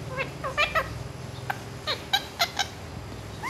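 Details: Ring-necked parakeet talking in Urdu and Hindi, reportedly saying "mian mitthu"; a string of short, clipped, harmonic syllables, several in quick succession, ending on an upward-sliding nasal note, over a steady low hum.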